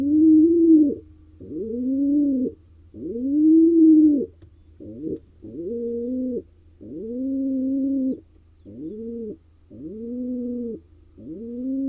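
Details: Male pigeon courting a female in a wild nest box in Israel; a long run of about ten low arched coos, some brief and clipped, others drawn out, with short gaps between.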